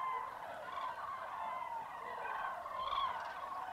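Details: Freezing, misty January dawn at a large common crane roost in central Spain's Tablas de Daimiel. Hundreds of cranes keep up a steady murmuring trumpet chorus, and one clearer call stands out near the end.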